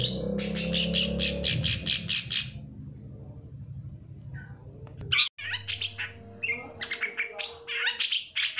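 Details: Long-tailed shrike lure song to get lazy shrikes singing: a fast harsh chattering run at first, then a quieter spell, followed by scattered squawky and whistled notes over background hum.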